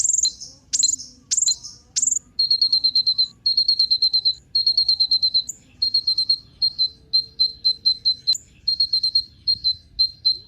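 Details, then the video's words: Sunbird known locally as Kolibri Ninja, a lure track for prompting birds to sing: several sharp, high descending chirps, then long runs of thin, evenly spaced piping notes in short clusters. "Kolibri Ninja Pancingan Penggacor Burung Cocok Buat Isian Segala Burung"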